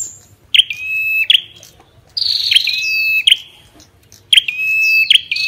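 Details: Ashy tailorbird song mixed with the female's calls: loud clipped notes open long flat whistles, and a higher buzzy note slides slightly down between them. Phrases recur about every two seconds over a quiet low background hum.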